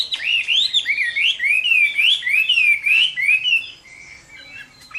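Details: Chinese hwamei giving fighting song at summer midday: loud, clear whistled phrases rising and falling in quick undulating loops, delivered almost without pause, then fading to softer, quieter notes near the end.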